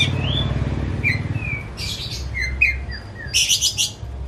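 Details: A home-kept white-rumped shama gives soft sliding whistles followed by loud harsh buzzy bursts, over a low hum.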